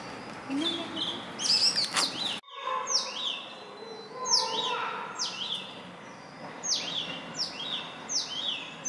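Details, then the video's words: Indian robin singing in the morning or evening close to human dwellings; a cluster of high twittering notes, a short break, then a run of repeated falling whistled slurs. "The best bird song, Indian Robin singing"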